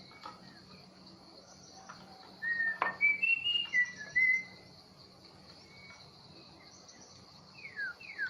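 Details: Long-tailed Bahorok white-rumped shama, newly taken from the forest, giving a burst of clear, sweet whistled notes that rise and fall for about two seconds. Two quick descending slurred whistles follow later. A sharp click and a soft, steady insect hum sit beneath.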